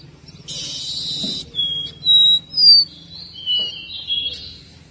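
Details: A caboclinho (seedeater) sings vigorously in a 2023 recording. A harsh buzzy burst comes first, then a run of pure whistled notes, some steady and some sliding, at an even pace, over a soft low background hum.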